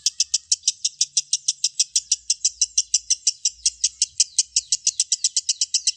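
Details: High, rattling lovebird ngekek chatter from a training recording for prompting lovebirds to sing, sharp notes tumbling in quick succession with slightly uneven spacing and faint low background noise.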